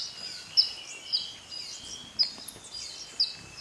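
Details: Montane woodcreeper in Bellavista Cloud Forest Reserve, Ecuador, recorded in May 2012: sharp, high, piercing single notes repeated roughly every second, over a steady background hum of insects.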